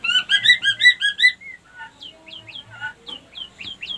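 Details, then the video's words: Female white-rumped shama lure sound said to bring other females into breeding condition; a quick rhythmic string of doubled chirps, then spaced sharp downslurred whistled notes. "pancingan murai batu betina kurang birahi auto naik birahi ngleper minta kawin"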